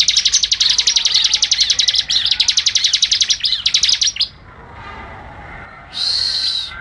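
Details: Fast machine-gun 'ngebren' song from a Bar-winged Prinia (ciblek): about four seconds of rapid high chips, a quiet gap, then a short, harsh, buzzy burst.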